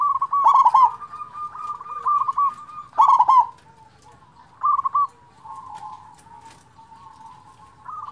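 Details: Local zebra dove with a big voice, used as a lure to stir quiet doves into singing: short bursts of rapid, clipped mid-pitched coos, repeated at uneven intervals, over a faint steady tonal hum and soft background rustle.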